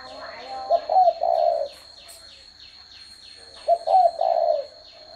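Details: Spotted dove repeating a low three-note coo, a brief note, a rising hoarse note and a long falling coo, twice about three seconds apart, over faint ticking chirps and a constant high-pitched tone.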